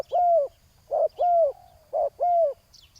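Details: Spotted dove calling at a ground decoy meant to lure a rival. Clear alternating coos sound: a long, slightly falling hooted note, then a short blunt one, repeated with an even beat.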